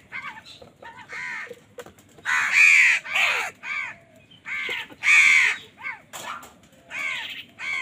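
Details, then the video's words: Several crows fighting for food overlap in a noisy chorus of repeated harsh caws, some loud and close, others softer, calling almost continuously. "কাকের ডাক Crow Sound Crow ki Awaz Loudly | Crow bird Fight for Food"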